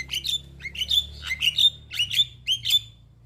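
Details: Caged young Javan myna calling in a steady series of harsh, upslurred squawks, each ending in a thin whistle, about two per second, over a faint low hum.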